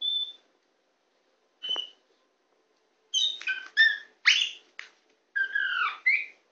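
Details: Tame white-rumped shama perched on a hand: a lone whistle and a sharp click, then a burst of rich, varied whistled and buzzy song phrases with short gaps.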